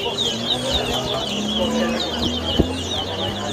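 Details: Competition singing by towa towa at the Lusignan bird ground, Guyana, 2023; quick, chattering whistled notes run continuously, with a steady mechanical hum, a sharp knock and background voices.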